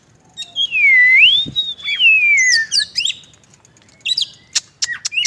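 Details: Oriental magpie-robin giving a long, smooth, wavering whistle that dips and then rises, followed by quick sharp chips and a scattering of brief, high, clicking notes.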